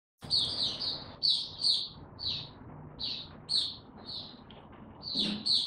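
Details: White-eye, given no health supplements, recorded 29 April 2022, singing short high twittering phrases in bursts separated by brief pauses, with faint low background rumble.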